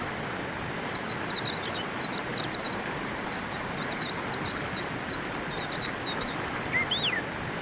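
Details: High-pitched, hurried twittering from a white-eye in two dense phrases, followed near the end by a couple of clearer, looping whistled notes, over persistent background hiss.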